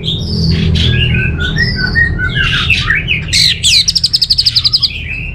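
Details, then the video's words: Orange-headed thrush delivering a rich mix of whistles and buzzy notes, rising to a fast even trill of around a dozen clipped notes near the end, over a low steady hum. "Suara ANIS MERAH"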